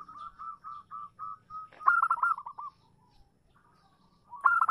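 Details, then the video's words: Female zebra dove calling a male. A string of evenly spaced soft coos leads into a louder tumbling trill of rapid notes, then quiet before another loud burst begins. "suara perkutut betina memanggil jantan"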